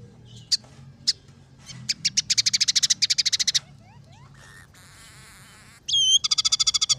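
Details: Scaly-breasted munia singing energetically, a song said to hold fill-ins copied from house sparrow, red siskin and canary: sharp high chips, fast buzzy rattling bursts, descending slurred notes, a wavering warble and a bright whistled trill.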